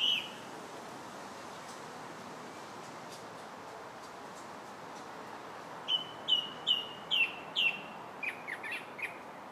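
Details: Song thrush on July 8th: a brief whistle opens, followed by several seconds of quiet, then a burst of five rapid repeated whistled notes and a few thinner trailing notes.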